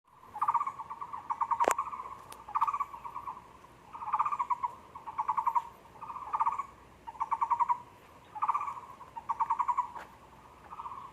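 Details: Taiwan barbet at a zoo on 24 February 2020 giving low, hollow, rapidly pulsed notes in short bursts, repeated about every second and a half; one sharp knock is heard early on.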